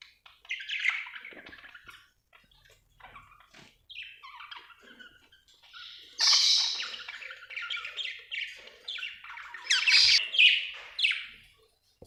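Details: Budgerigar chatter: a busy mix of scratchy, warbled high notes and squeaks, quieter in the middle, then louder bright chirps toward the end.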